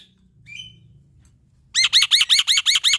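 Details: Male black-winged myna singing actively, used as a tutor song for young starlings: after a quiet start with a faint note, a run of seven loud, identical buzzy rising-and-falling notes repeats about three times a second.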